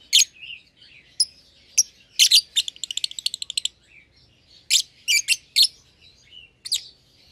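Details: Two young lovebirds, euwing green opaline and albino, paired in one cage after feeding each other; sharp shrill chirps mixed with a fast rattling series of clicky notes and short squeaks.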